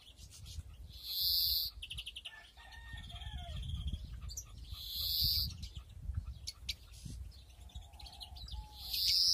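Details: Aviary-bred European greenfinches, nesting season 2021: three long nasal wheezes spaced a few seconds apart, separated by quick dry twittered notes and short chirps, over steady low-pitched background noise.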